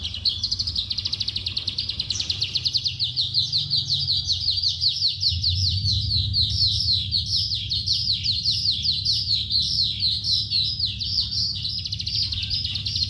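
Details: Oriental skylark pouring out a continuous high rapid trilling warble for the whole stretch, fast and buzzy, with low background hum.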